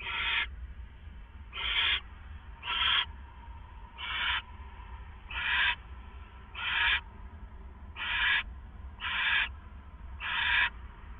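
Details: Two owls at the Hideout at 4:49 AM on April 27, 2014, before dawn. Harsh breathy hisses repeat about every second, nine bursts in a loose rhythm over faint low background hum.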